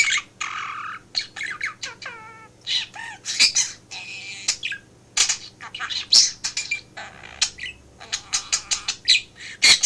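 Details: Pet budgerigar in a home office chatters nonstop in rapid scratchy bursts, mixing high squawks, clicks and quick warbled whistles with brief pauses, and says talking phrases like "hello Dinky" and "you're a Stinky".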